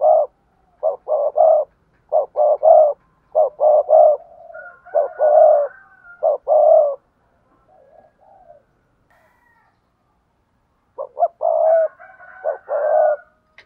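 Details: Spotted dove, kept by bird keepers, cooing and calling: bursts of low hollow coos in groups of two to four, repeated steadily, with a thin whistled tone and softer calls between phrases.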